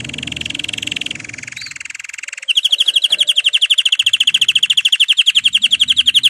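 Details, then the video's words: Canary singing, recorded to stimulate other canaries to sing: a softer rolling trill shifts into a loud, rapid, pulsing trill of identical high notes repeated many times a second, continuing steadily to the end. "canari chant ساعة لتحفيز الكنار على الغناء"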